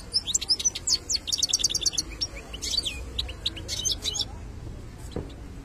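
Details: Wild-caught European goldfinch sings in the betbta style: a fast burst of high, dry clicking notes, then liquid twitters and short slurred whistles. The song fades out into quiet, with a faint low knock near the end.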